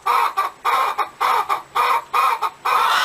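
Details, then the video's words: Hen cackling close and loud, a series of drawn-out, nasal notes, often paired short-long, repeated about twice a second. "Galinha Cacarejando | Galinha Cantando | Som De Galinha | Canto Da Galinha | Cacarejo Da Galinha"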